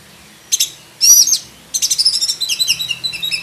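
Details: Black-breasted oriental magpie-robin in captivity, its song rich in varied phrases and used to train other birds. Two short harsh buzzy bursts come first, then a fast run of high chattering trilled notes that lasts to the end.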